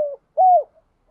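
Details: Single level coo of a spotted dove, from a recording used to stimulate other doves, slightly arched and ending with a soft downward slide. Fragments of other coos are heard at the start and end.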